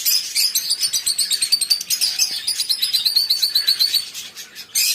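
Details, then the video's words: Lovebirds chattering in a steady stream of high, sharp chirps and squeaky twitters, several notes a second with no pauses, bright and busy throughout, ending with a brief louder burst of harsh chatter. "Love birds singing relaxing sound"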